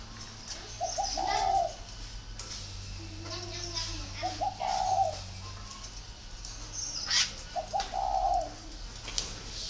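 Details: Kept spotted dove in Ba Vì, northern Vietnam, cooing three times at roughly three-second intervals, each phrase a pair of short notes then a long soft coo, with sharp clicks and background hum.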